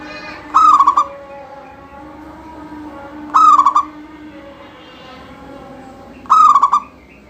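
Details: Local zebra dove, a caged bird kept for singing, used to set other doves singing: three short bright whistled phrases, a brief stuttering warble each, about every three seconds, over a low steady background hum.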